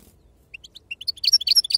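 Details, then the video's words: Short phrase from a European goldfinch singing in the wild 'khloui' Sarfati style: soft, spaced high chirps that quicken and grow louder into a jumbled twitter. "أفضل تغريد بندوق حسون خلوي أصيل الله يبارك لصحابو ما شاء الله لغه خلوي أصيل سرفاتي"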